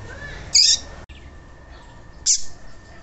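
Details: Double-collared seedeater, a coleiro tui tui, played to warm up and stimulate a cold caged bird into singing: two short, bright, high chirps about 1.7 seconds apart over a steady low hum.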